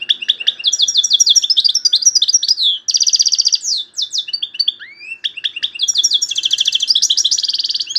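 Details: European goldfinch singing loudly: fast, high twittering trills and buzzy rattled phrases. A rising whistled slur comes in the middle, then rapid repeated notes, almost without pause.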